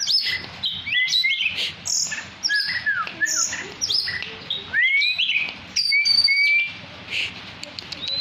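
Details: Tame captive Oriental magpie-robin of the poci type in lively full song: varied clear whistles, rising slurs and sweeping notes with brief pauses, a few higher chirps mixed in, faint low background hum.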